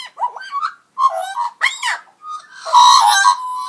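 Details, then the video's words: Magpie making unusual robot-like sounds: wavering warbled notes and scratchy bursts, ending in a long, harsh, harmonically rich droning tone. "Pigarotti Making Unusual Sounds"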